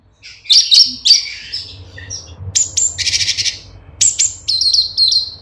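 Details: Cucak cungkok bulbul singing, meant as a master song for caged birds: sharp high whistles, a buzzy chattering passage, then a quick repeated series of clear chirps at the end.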